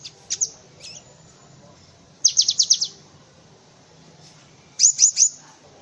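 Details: Cinereous tit (gelatik batu) song used for tutoring other birds such as white-eyes: short bursts of rapid high chirps around two and five seconds, with a few scattered high notes between.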